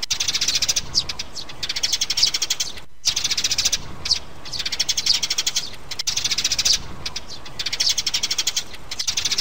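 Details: Sparrows, a mother and chicks, in a recording used to lure birds into traps: dense bursts of rapid, high, sharp chirps run almost nonstop, broken by brief silent cuts near three and six seconds.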